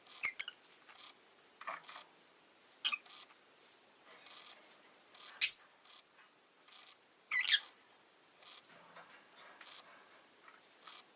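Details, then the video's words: Rosy-faced lovebird chirping, giving a series of sharp, high, rasping squawks at irregular intervals of one to two seconds, with faint clicks and soft chatter in between. "Lovebird Chirping Sounds"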